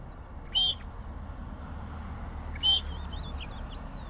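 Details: Southern grey shrike singing two loud, harsh, clicking-buzzy notes two seconds apart, followed by faint twittering from other small birds.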